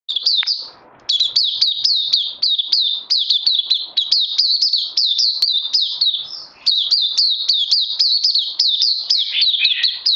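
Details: Oriental white-eye, a kept songbird, singing on 31 May 2020, second day on bird supplements: a rapid, unbroken string of sharp, high chirps with downward slurs, about four per second, briefly pausing once near the start.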